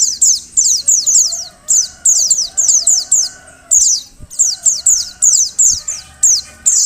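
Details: Oriental white-eye female giving a call intended to make males sing: clusters of piercing high notes that fall quickly in pitch, rattled off in groups of three or four with short silences; faint wavering hum behind.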